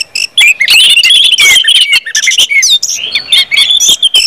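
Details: Loud, busy orange-headed thrush song in 'ngeplong' style, played to make birds sing fast; tumbling whistled slurs and buzzy bursts packed tightly together.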